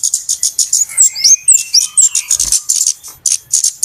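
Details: Rapid flowerpecker chips from a trapping lure, several per second and very high, mixed with short rising and falling whistles and one low knock.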